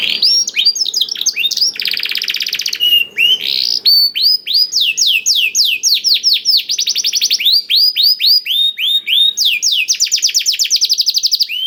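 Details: Canary singing a blackthroat-style 'isian' (learned) song, played as a lure to get canaries singing; an unbroken run of rapid high trills, buzzy rolls and sweeping whistled notes repeating several times per second, with no other sounds.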